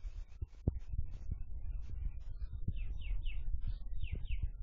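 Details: Sooty-headed bulbul kept as a tame cage bird, noisy all day: after a stretch of low knocks and thuds, five clear descending whistled slurs come in two quick bursts near the end.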